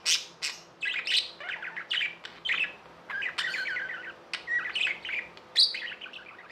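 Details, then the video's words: Pet budgerigars chirping and warbling indoors, a fast run of sharp clicks, buzzy trills and short whistled notes in uneven bursts every half second or so, a faint low hum underneath. "Budgies | Talking | Singing | Chirping sounds"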